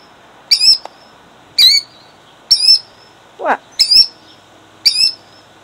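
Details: Female killdeer defending her eggs in Jackson, New Jersey, in 2008: loud, sharp, high piercing notes that slur downward, repeated about once a second, with one lower sweeping note in between and a quiet background.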